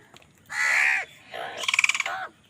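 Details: Two crows' caws in quick succession during a fight over food: first a long hoarse caw, then a second that breaks into a rapid rattling, stuttered texture.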